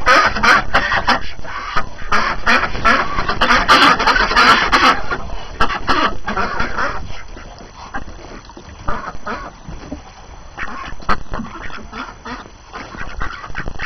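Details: Morning flock of domestic ducks in fresh January snow, hungry after confinement; loud bursts of clustered quacks for the first several seconds, then scattered, softer calls.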